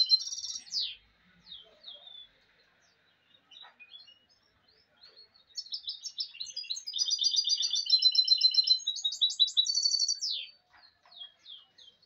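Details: Clean song from a goldfinch mulet: scattered high chips, then a long, loud stretch of fast, repeated liquid trills and buzzy rolls, ending in a few descending twitters.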